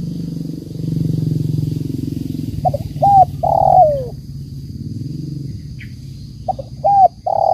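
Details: Spotted dove cooing in the banggo bocor style. Two phrases each have two short notes and a longer falling coo, over a loud low rumble and a constant high whine.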